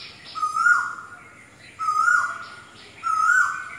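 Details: Repeated song of an Asian koel, or kokil: three loud whistled notes, each climbing and swelling before fading. The notes come roughly every one and a third seconds, over faint background hiss.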